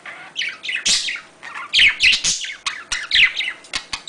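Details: Budgerigars' mating or courtship sounds: a busy, scratchy warble of rapid chirps, squeaks and clicks, high-pitched and irregular, in short bursts.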